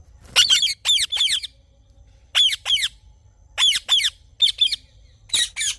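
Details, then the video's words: Ringneck parrot in the morning giving harsh, high, descending screeches in pairs and triplets separated by short silences, loud and raspy, over a soft low hum. "Parrot Morning Sounds"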